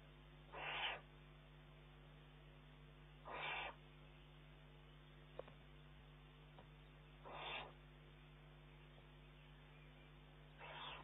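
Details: Young Eurasian eagle-owl pestering its mother for food, 19 June 2011, pulling prey from her beak. Four quieter rasping hisses repeated every three to four seconds, with a few faint clicks between.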